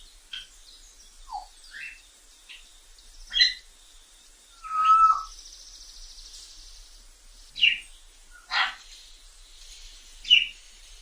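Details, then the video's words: Wild African grey parrot vocalizing: a string of separate short calls spread across the clip, mixing harsh squawks, clicks and one clear pure whistle near the middle, with quiet gaps between them. "african grey parrot sounds in the wild"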